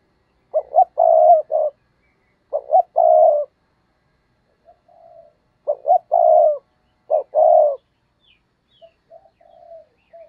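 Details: Cooing of a decoy spotted dove used to lure wild doves. Four loud, husky phrases arrive every one to two seconds, each a short note, a long rolling coo and a clipped ending, with faint soft coos after them.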